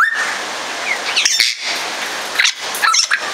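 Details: Captive Congo African grey parrot, nominate subspecies, at Warsaw Zoo: rough noisy squawks come in bursts, mixed with short whistled chirps and a brief rising whistle at the start, over a constant hiss.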